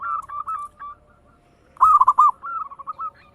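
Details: Local zebra dove song in the rapid 'ngayer engkel' style, used as a lure to set other birds singing. Soft quick notes, a pause, then a loud four-note cooing phrase running straight into more rapid arched notes.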